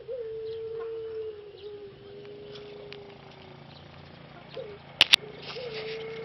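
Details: Caged male Pelung dove from Solo, Indonesia, in rehabilitation after losing its voice following six months of breeding; long level low coo followed by a brief rising note, with two sharp clicks near the end.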